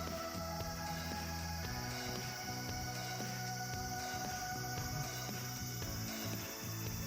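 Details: Continuous electronic background music with sustained tones and a low repeating bass line, and no clear animal call.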